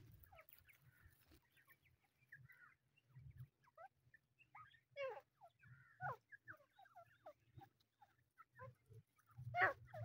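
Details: Several grey francolin (Francolinus pondicerianus) chicks give short, thin, scattered and overlapping peeps and chirps over a low steady hum.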